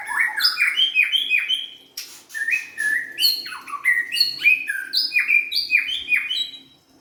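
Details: Young forest-caught white-rumped shama delivering a rich, continuous song of clear whistled notes, sliding sweeps and quick chattering bursts, phrases following each other without a break.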